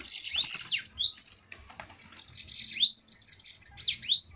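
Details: Bananaquits in a fiery fighting duel: high, hissing, buzzy chatter broken by sharp rising whistled sweeps, about four sweeps over a few seconds, with a short pause midway.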